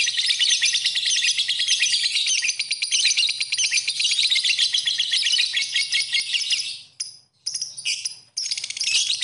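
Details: A lovebird's shrill, rapid chattering song, used as a master recording for training: a dense stream of sharp high chirps and ticks, running almost unbroken, with a few short pauses near the end.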